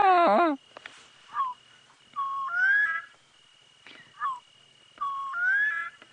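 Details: A recording of a Bronze-winged courser's call is played during an evening sunset safari drive on 22 May 2017: short whistled phrases, a quick falling note then a longer rising one, about every three seconds. It opens with a loud, wavering harmonic burst over a faint hum.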